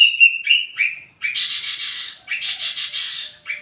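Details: Wambi mini song for luring and tutoring flowerpeckers: a few clear whistles, then two long buzzy, scratchy trills separated by a short pause.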